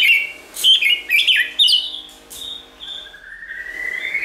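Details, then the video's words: White-rumped shama song played to stimulate and train birds to sing: a quick burst of sharp whistled notes, then a long steady whistle and a slowly rising drawn-out tone. "Kích Chòe lửa hót nhiều giọng"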